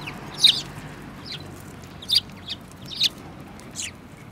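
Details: Several sparrows including a yellow-billed one, 24 February 2018, uttering short high chirps at irregular intervals of roughly half a second to a second, with a quiet low background drone.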